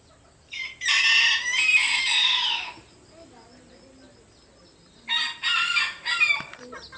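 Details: Cockerels crowing in turn, loud and melodious. One long, rich, harsh crow lasts about two seconds. After a quiet gap a second crow follows in several broken, stuttering bursts.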